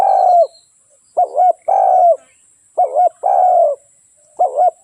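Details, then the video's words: Spotted dove song of low, mellow coos: a long falling coo, then pairs of short hiccuping notes each followed by another drawn-out coo, about three phrases; faint constant high electrical whine behind. "เสียงนกเขาใหญ่/suara burung tekukur"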